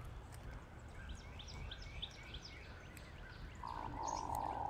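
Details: Hooded Mergansers in a flock making their typical grunting; faint clicking notes at first, then a loud, rolling, frog-like buzz in the final second.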